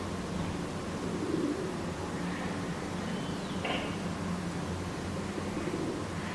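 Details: Domestic pigeon (rock pigeon) in central Argentina giving soft, low, throaty coos in short phrases over a steady low outdoor rumble.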